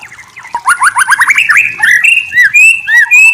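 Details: White-rumped shama singing as a lure to make another shama answer: a loud rapid series of rising whistled strokes, followed by clear slurred whistles and sharp high notes, strong and close.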